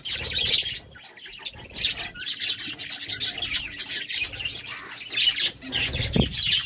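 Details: Budgerigars at love time utter continuous squawky, chirping warble with harsh scratchy notes and a faint low hum in the background.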